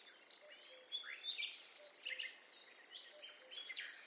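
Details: Several birds in a forest give quick, high sweeping chirps and short upward-slurred whistles, overlapping each other, with faint low notes repeating in the background.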